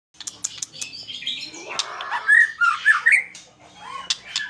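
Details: White-rumped shama in full, fighting-style song: a jumble of varied whistles, harsh notes and rapid twitters, with short pure whistled phrases rising and falling in the middle, some clicks and rustling around.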